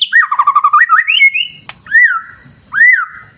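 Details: Song of a white-rumped shama against clear-river wild surroundings: a quick warbled run of looping notes, a rising whistle, then two separate clear arching whistles about a second apart, with soft low rustling between them.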